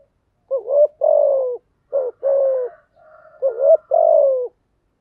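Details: Spotted dove singing to train newly caught birds: three low coo phrases in quick succession, each a short rising note then a longer falling coo, with soft murmuring between the last two.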